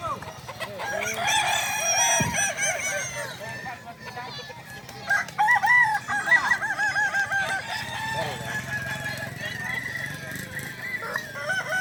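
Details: Balenggek roosters at a crowing competition in Danau Bawah, Solok Regency, on Sunday 6 October 2024; several long, overlapping crows with many stepped, wavering notes strung together, over a low murmur of people.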